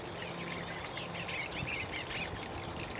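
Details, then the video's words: Chickadee chicks being fed, giving rapid squeaky twittering notes likened to laughing babies, mid-high and irregular, over a steady very high pulsing buzz and constant broadband background noise. "Chickadee Feeding Chicks"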